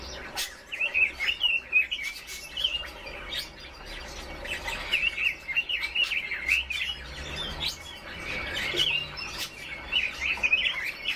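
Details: Red-billed leiothrix, called Chinese nightingale, singing: quick runs of clear warbling, rising and falling whistled phrases in bursts of a second or two with short pauses, over a low steady hum.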